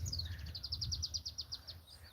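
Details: One of many loud sunbirds near an acacia tree in Kenya on an afternoon gives a rapid run of about a dozen thin, high, sharp chipping notes, roughly seven a second, over a low rumble of wind.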